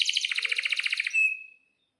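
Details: Canary in full lure song with long rolls, meant to prompt other canaries to sing: a rapid buzzy roll of about twenty beats, then one clear sustained whistle fading out.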